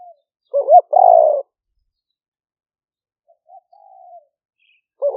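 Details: Trapping-lure spotted dove from Roi Et, Thailand, recorded live in rainy-season rice fields in 2021 by smartphone, cooing in liu fueang style: a looped double note and long buzzy coo, a quiet pause, soft coos, then the phrase restarting.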